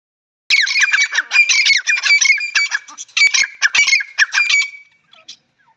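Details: Grey francolin giving a loud, harsh, shrill series of squawking notes in rapid bursts for about four seconds before falling silent.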